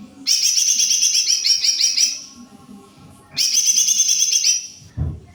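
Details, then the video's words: Greater green leafbird singing at full strength. Two long runs of fast, ringing, slurred high notes, each close to two seconds, come a second apart. A brief low thump closes the clip. "Jomin full cor gacorrr"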